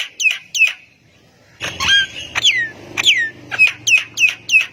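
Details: Jalak kebo, the Javan myna, singing to draw replies from other mynas: sharp chipped whistles, a pause, then sweeping downslurred whistles and a steady series of short bright notes about twice a second.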